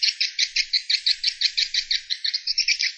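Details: Swiftlet roosting call: a fast, even train of high twittering chirps, about six per second, each a short, bright, buzzy note, in a clean recording with no other sounds.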